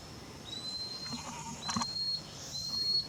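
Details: Lanceolated monklet singing in its natural habitat, humid tropical forest in Costa Rica: thin, high, slightly rising whistles spaced about two seconds apart over a steady insect hum, with a brief rustling noise midway.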